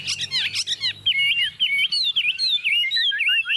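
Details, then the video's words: Confident song from a tame Chinese hwamei on a table: a few scratchy chirps lead into a steady run of bright looping whistles, repeated quickly and rising toward the end. "Họa mi thuần xách tay đặt bàn tự tin hót"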